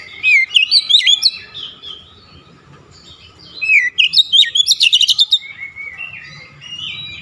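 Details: Oriental magpie-robin singing an aggressive "shooting" song that unloads its repertoire: two loud rapid bursts of jumbled, high, twisting notes, joined by quieter whistles and ending in soft sliding phrases.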